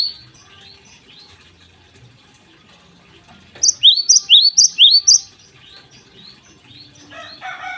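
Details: Java sparrow in morning song, quiet background chirps giving way to a short bright burst of six or seven high, hooked notes, then faint chatter returns.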